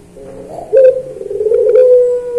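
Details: Puter pelung dove cooing in a training recording for other birds of its kind. A short lead-in note is followed by a sustained, low, flat coo that carries through to the end, with light clicks in the middle.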